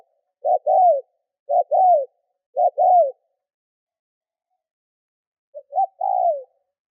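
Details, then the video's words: Spotted dove calling as a decoy to provoke wild doves: three regular two-part coos a second apart, a silent stretch of about two seconds, then a softer stuttering phrase ending in a long falling coo. "CU GÁY MỒI THÚC GÙ KÍCH BỔI NHANH NỔI - TIẾNG CHIM CU GÁY KÍCH BỔI"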